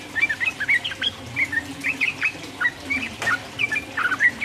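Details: Sooty-headed bulbul singing energetic 'ropel' song to provoke rival birds: spaced groups of short warbling, liquid notes at mid-high pitch, with a sharp click near the middle.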